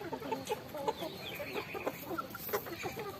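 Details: A group of chickens eating rice, with many quick overlapping clucks and chirps packed into a few seconds.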